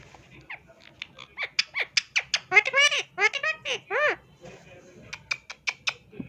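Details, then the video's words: Pet ring-necked parrot talking: a rapid run of high, harmonic, speech-like syllables with arching pitch, roughly two or three a second, ending in short, sharp high squeaks. "Funny Talking Ring Neck Parrot"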